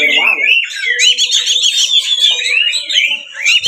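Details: Oriental magpie-robin's provoking 'ngeplong tarung' fighting song, played to make other magpie-robins sing and spread their tails; continuous high, warbling whistles with quick trills, a steady low hum beneath and a short low harmonic sound opening.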